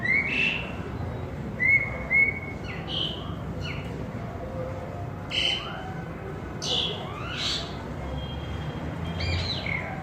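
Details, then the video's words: Asian pied starling (pied myna) from Pakistan sings a loose run of short whistles, chirps and slurred notes, some rising and some falling, over a steady low background rumble. "Singing pied Starling bird nice (pied myna)"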